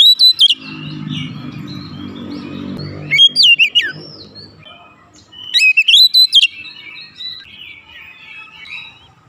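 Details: Oriental magpie-robin song played to agitate birds into singing: three short bursts of sharp, rapidly modulated whistles separated by quieter stretches, with a low hum at the start.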